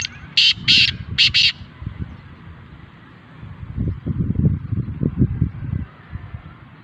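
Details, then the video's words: Black francolin offered for sale gives a rhythmic call of four harsh, grating notes in quick succession, then low rumbling background noise. "black francolin voice ll کالا تیتر ll kala teetar"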